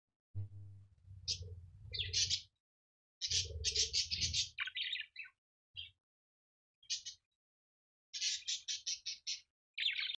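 A budgerigar chatters in quick, scratchy chirps and buzzy bursts, broken by short pauses.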